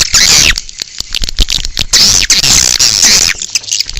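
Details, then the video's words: Outdoor swiftlet call used to lure swiftlets: sustained high-pitched chattering twitter with descending chirps, broken by brief pauses and interspersed with faint clicking ticks. "Âm thanh chim yến ngoài trời - Âm thanh gọi chim yến"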